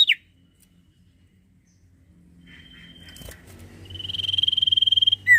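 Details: Common iora (sirtu) in full voice, played to get quiet birds singing: a faint steady whistle, then a long fast rattling trill on one pitch, ending with a short sharp note.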